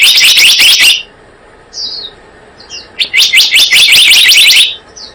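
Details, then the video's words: Lure call of the blue-eared kingfisher for bird trapping: two bursts of fast, piercing high-pitched chatter separated by a pause holding a few short thin whistles. "Suara pikat burung selendang biru"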